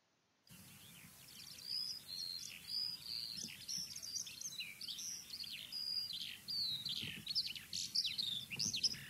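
A Eurasian Skylark pours out a long, unbroken stream of high, rapid chirrups, trills and thin whistles, varied and energetic throughout, with faint background hiss.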